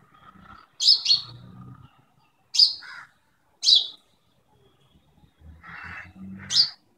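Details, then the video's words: An Indian house sparrow chirping in the morning gives short, bright chirps, single or doubled, repeated every second or two with brief pauses, over a faint low background hum. "sparrow chirping in the morning"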